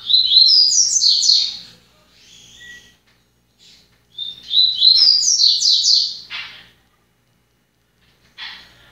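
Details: Seedeater singing, a kept individual bird; two long phrases of rapid, high, cascading chirps, each followed by softer buzzy notes, ending with a short rasping note.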